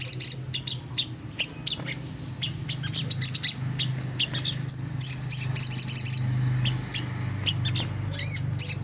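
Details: Sunda whistling thrush 'ngriwik kasar' twittering, offered as a lure for caged birds: irregular sharp high chips in short clusters, with some quick thin trills, over a constant low hum.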